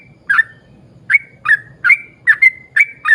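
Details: Yellow-vented bulbul singing steadily as a lure for other bulbuls: eight burbling notes in about three seconds, each sliding into a brief level whistle, spaced fairly evenly over a faint low rumble.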